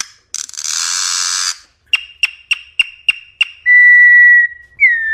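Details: Campo troupial, song of a wild-type bird used for teaching young birds: a harsh, raspy burst, then six sharp clipped notes in quick succession, ending in two clear, ringing whistles, the last one slurring slightly downward.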